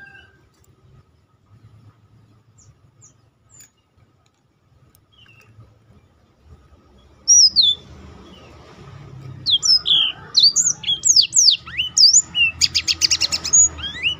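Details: Black-throated canary in song, used to coax other birds into singing and to teach them more varied notes. After a long quiet stretch, a burst of quick high whistles and chirps builds into a dense, buzzy trill.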